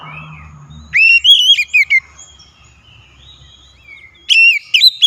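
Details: Kacer, the oriental magpie-robin, in a loud lure song meant to spur quiet birds: bright whistled phrases with quick upward sweeps, two bursts separated by a quiet gap, faint low hum beneath.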